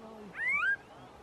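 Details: A female Barred Antshrike (Thamnophilus doliatus) hopping in bushes on a farm in San Antonio de Oriente, Honduras, 29 June 2019, gives one atypical nasal, mewing, slightly rising cat-like note under half a second, over a low hum.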